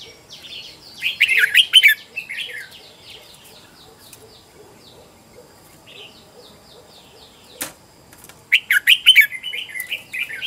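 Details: Red-whiskered bulbul singing as a decoy bird used in home training to lure wild birds: two bursts of bright, warbled notes, the first near the start and a second after a long quiet gap, with one sharp click between.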